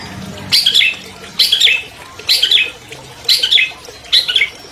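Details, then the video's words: Captive champion albino long-tailed shrike whose song serves to provoke silent shrikes into singing; five rasping, scratchy bursts, each about a third of a second long, repeated just under once per second. "MASTER SUARA CENDET ALBINO JUARA 2020 #AMPUH MEMANCING CENDET MACET BUNYI"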